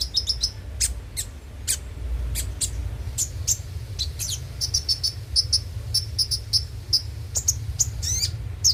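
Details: Van Hasselt's sunbird song meant to coax a bird into daily singing: irregular high chirps and clicks building into quick runs of thin twittering notes, a steady low hum behind.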